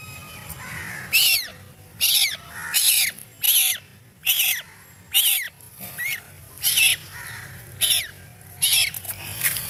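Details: A baby duck crying in fear: a long run of about a dozen shrill, downward-slurred peeps, repeated roughly every three-quarters of a second, loud and insistent over faint low background noise.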